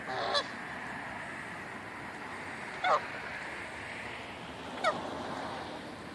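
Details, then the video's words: Geese honking: three short, nasal honks spaced about two seconds apart, each dipping slightly in pitch, over steady background hiss. "Geese honking"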